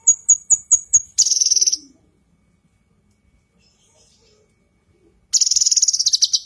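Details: Masteran recording of a female cucak kinoi leafbird: five sharp, evenly spaced high notes run straight into a fast rattling buzz, then silence, then another harsh buzzy trill.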